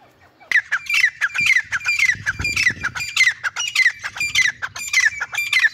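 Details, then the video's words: Grey francolin calling loudly in a fast run of harsh, squawking notes, each ending in a sharp falling squeal, repeated almost twice a second. "Billu Teetar ki Awaz | Dhakni Teetar Voice | Gray Francolin Sound"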